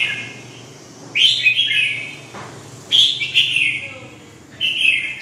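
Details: Red-whiskered bulbul repeating short warbled song phrases about every one and a half to two seconds, each a bright, slurred burst separated by quieter gaps.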